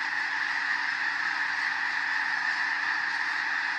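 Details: Snow geese, thousands strong, flushed by a bald eagle from farmland in Skagit County, Washington, in winter; steady, dense clamour of overlapping honking voices throughout.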